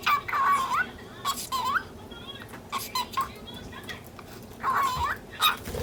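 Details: Lutino cockatiel, ten months old, chattering in short bursts while angry at a budgie chasing it through the cage bars; rising whistled syllables with clipped speech-like sounds and throat-clearing, repeated in several bursts.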